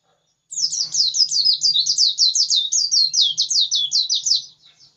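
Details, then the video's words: White-eye singing persistently: one long unbroken run of fast, high, slurred chirping notes lasting about four seconds, quick and steady, over quiet low rumble. "Pleci ngotot kicau"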